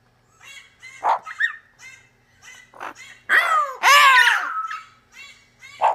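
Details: A male double yellow-headed amazon reacting to footage of himself gives short harmonic notes and sharp bark-like yelps, then a long loud raspy rising-falling squawk; a red-crowned amazon also reacts in the background.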